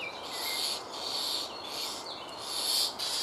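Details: Common starling nestling, the only chick in an old woodpecker hole and nearly ready to leave, begging when a parent is late. Harsh, hissing rasps come in long rhythmic bursts, almost continuous, with short pauses between them.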